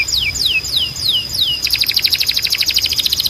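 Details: Timbrado canary song meant for training canaries: five slow downward-sliding whistles over a steady high tone, then a quick chattering roll of short repeated notes.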